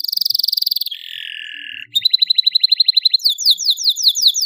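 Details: Canary singing as a model for juvenile canaries: a rapid high trill, a lower buzzy phrase, a pulsed trill, then a string of descending slurred notes.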